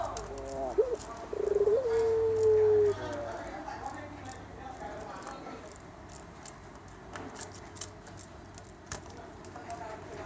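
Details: Javanese puter dove song: a few short, quavering low coos lead into one sustained, gently falling tone, followed by several seconds of quiet with faint clicks and rustling.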